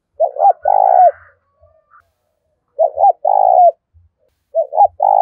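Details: Cooing spotted dove, a recording meant to make newly caught birds start calling: a short doubled note then a long rolling coo, repeated three times, the last cut off, with faint soft notes between.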